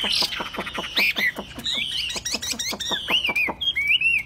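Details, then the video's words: A very tame captive Chinese hwamei, said to sing wherever it is placed, sings loudly. It mixes rapid chains of sharp down-swept notes with clear, high whistled phrases that rise and fall. "Chim thuần 200% Đặt bàn sách tay đặt đâu cũng hót"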